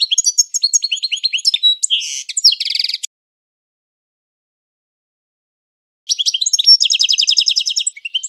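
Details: European goldfinch singing a classic training song: three seconds of quick, tinkling twitters ending in a dry buzzy rattle, a three-second silence, then another fast phrase of chattering trills and buzzes.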